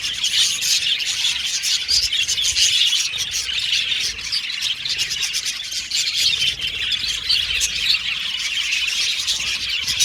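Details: Flock of aviary budgies making continuous high chatter, mixed chirps, squawky notes and warbles from many birds, steady over ten seconds.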